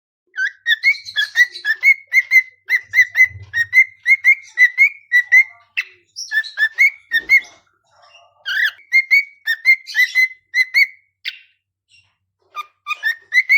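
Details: Cockatiel singing while the rest of the household sleeps: a long run of bright, warbling whistles rising and falling around one steady pitch.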